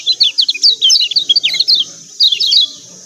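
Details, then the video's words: Kecial kuning white-eye from Lombok producing 'ciak ciak' lure calls for reluctant singers; quick, high, downward-slurred chirps run in a lively burst, then a short pause and a final cluster, over a faint steady hiss. "CIAK CIAK JOSS KECIAL KUNING AMPUH||PANCINGAN KECIAL MALAS BUNYI"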